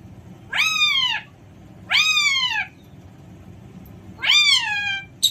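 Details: Alexandrine parakeet giving three loud, ringing calls, each one bending up and then sliding down, spaced roughly one and a half seconds apart over a steady low hum.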